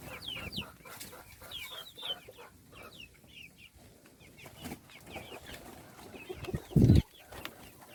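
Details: Little chickens, chicks shown at feeding time, chirping in a steady stream of short, high, downward-sliding peeps from several birds at once, with a brief loud knock near the end.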